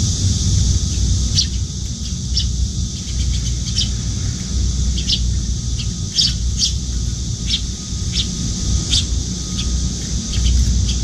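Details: Young Eurasian tree sparrow, nearly adult-sized with paler cheeks, trailing a parent to a window feeding spot and begging to be fed; scattered sharp high chirps and squeaks in loose bursts over constant hiss and low rumble.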